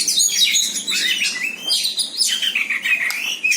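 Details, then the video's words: White-rumped shama confronting a rival, delivering loud rapid song of sliding whistles, buzzy trills and descending sweeps that run together almost without pause. "SUARA BURUNG KACER JUARA MANTAP"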